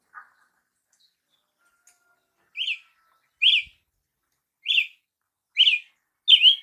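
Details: A soft low note from a Brazilian tanager (tiê-sangue), then a pause, then five sharp, slurred, up-down chirps at uneven intervals of roughly one second. The background is quiet.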